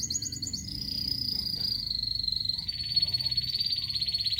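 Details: Local canary singing a steady high buzzy trill that drops slightly in pitch after half a second, then holds a long rolling note, with a faint low hum beneath.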